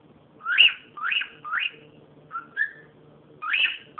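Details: Cockatiel calling loudly: three strong upward-sweeping whistles in quick succession, two short warbled notes, then another loud rising call, over faint indoor hum.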